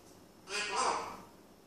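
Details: An Eclectus parrot trying to get a cat to play gives a single harsh, raspy, almost voice-like squawk lasting under a second, in a quiet room.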